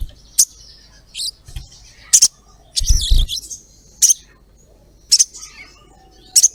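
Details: Female ruby-throated myzornis calling a male, used as a lure to make males sing. Short, sharp, very high 'cret' chirps come singly at irregular gaps of one to two seconds, with a few dull low thumps between them.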